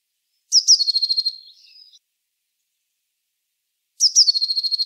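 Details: Song of a Eurasian blue tit, two high phrases about three seconds apart, each with thin piercing lead-in notes and a quick level trill, the first ending in a softer trailing twitter; clean, quiet background.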